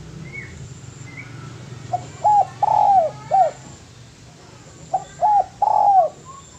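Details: Spotted dove cooing, used as master song for training birds: two phrases of short hooting notes leading into a long, arched coo, about three seconds apart, over a faint low background hum.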